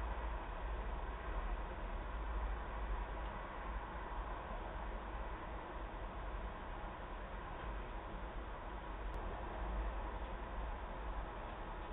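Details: Steady broadband hiss and low rumble without any animal call.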